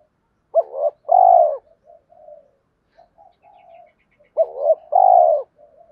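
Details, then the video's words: Spotted dove calling for females and goading rival males, giving two strong coo phrases, each a brief double note followed by a drawn-out mellow coo, separated by quiet low trailing notes. "tiếng cu gáy kích bổi mỗi ngày, gáy gọi hai hậu"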